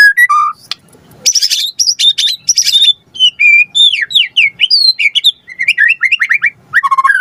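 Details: Full, varied song of a white-rumped shama used as a lure to trigger a response, mixing clear whistles, quick descending slurs and harsh chattering bursts in a fast, nearly unbroken stream.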